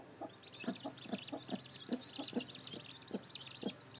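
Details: Baby chicks, freshly hatched under a hen, peep continuously in high wavering notes. Low, soft clucks repeat underneath roughly twice a second.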